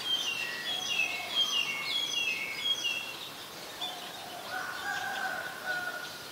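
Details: Black-collared starling recorded in Ubon Ratchathani, Thailand, July 2020: a quick string of squeaky, whistled notes at first, then lower drawn-out tones, amid constant outdoor noise.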